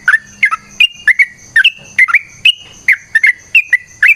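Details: Yellow-vented bulbul singing a long, rapid fighting-style song used as a lure. Rich, warbled whistles, some rising, some falling, tumbling out three or four each second in an unbroken, lively pattern.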